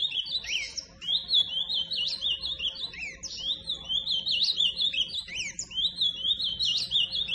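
Ultramarine grosbeak singing a fast, continuous high warble of slurred rising and falling notes, phrases tumbling together with little pause; faint low hum behind.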